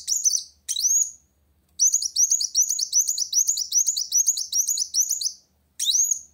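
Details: Van Hasselt's sunbird singing vigorously to challenge a rival: very high, sharp chips, each a quick upward-sweeping note, delivered in short bursts and then a long fast run of about twelve repeated notes, with brief silent gaps.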